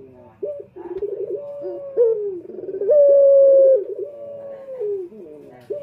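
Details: A male Barbary dove, recorded as a lure call, gives low, soft coos: a drawn-out rolling coo followed by a long, even note held for nearly a second, then falling phrases.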